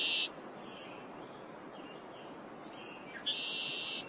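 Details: In spring in the northeastern United States, a male Red-winged Blackbird giving a territorial display gives two harsh, buzzing trills, one brief and one nearly a second long, with faint chips and whistles from other birds between them.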